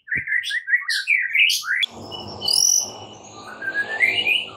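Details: White-rumped shama morning fighting song: quick chirping whistles at the start, then a sharp click and a broadband rushing noise under faint high whistles.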